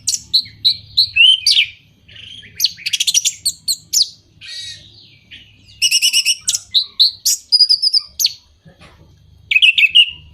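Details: Orange-headed thrush song used to stimulate moulting, silent or out-of-condition birds: varied phrases of clear whistles, rapid buzzy trills and repeated chirps high in pitch, separated by short pauses, with a faint low hum beneath.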